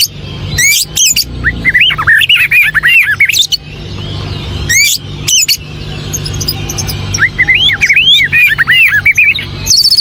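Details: Rich varied song of a white-rumped shama, rapid looping whistled notes in fast runs, broken by sharp clicking bursts, loud and close with steady low hum beneath.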